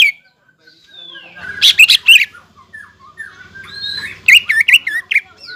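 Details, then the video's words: Singing greater green leafbird, heating up its rivals: a long descending whistle, scattered soft notes, a pair of loud whistled bursts, then a fast run of sharp twisting whistles after a pause. "CUCAK IJO GACOR MEMANCING EMOSI LAWAN BIKIN PANAS CUCAK IJO LAWAN"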